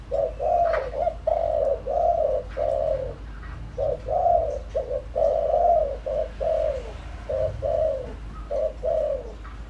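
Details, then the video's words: Spotted dove used as a lure bird, giving a full cooing sequence: low hollow coos around 500–700 range repeated rapidly in short phrases, with several separate dove phrases running close together and faint clicks in the background. "tiếng chim cu gáy mồi đủ bài gọi thúc gù giọng hợp Bổi kích bổi nhanh nổi"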